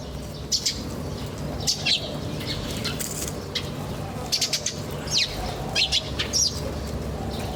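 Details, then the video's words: Birds chirping in nature: scattered sharp high chirps, singly and in small clusters spread over several seconds, against a constant low hum. "The chirping of birds in nature is very relaxing"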